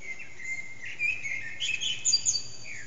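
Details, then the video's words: Eurasian blackbird, not visible, singing around 4:30am in an echoing backyard, captured on an HTC Desire phone; rich warbling phrases with high twittered ends, a brief lull, then a rising final note over steady noise. "Blackbird's morning song"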